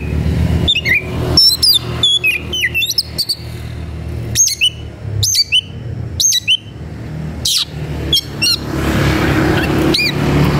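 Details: Combative Oriental magpie-robin (kacer) searching for a rival: a busy stream of sharp high whistles and chirps in irregular bursts, with traffic-like rumble rising toward the end.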